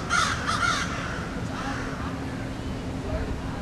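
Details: Crows perched in a tree give a quick run of three harsh, loud caws at the start, followed by quieter background hiss and distant low rumble.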